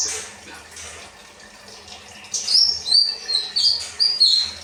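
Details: Kinoi bird, rambatan song used to train caged birds: after two quiet seconds, a burst of varied high whistles and chirps, some sliding downward, delivered in quick succession.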